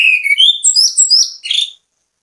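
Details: Orange-headed thrush (anis kembang) bait song meant to prompt other birds to sing, a run of loud whistles climbing from lower notes to shrill high slurred tones, ending abruptly, in silence otherwise.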